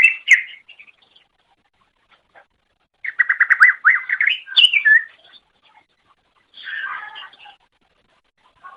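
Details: Greater green leafbird song made for tutoring pet birds: short bursts of quick, sliding whistled notes and chatter separated by quiet gaps of one to two seconds, ending with a lower, rougher phrase.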